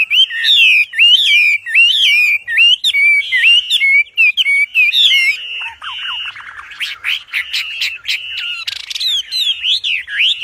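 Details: Loud Wambi song used as a master for training birds; a run of looping whistled phrases repeated about once a second, then a faster, more broken sequence of sharp high notes.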